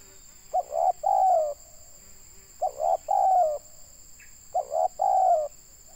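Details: Tekukur, the spotted dove, a local bird in Indonesia serving as a lure, cooing in three regular phrases about two seconds apart, each two short notes and a long falling coo, with a brief higher chirp and constant hum.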